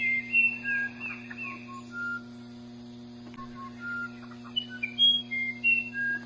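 Musician wren singing pure, flute-like whistles at changing pitches, stepping up and down in short melodic phrases, over a steady low mechanical hum.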